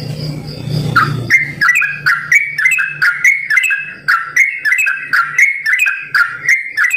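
A sooty-headed bulbul sings bubbly, liquid two- and three-note phrases, several each second, over a steady low electrical hum.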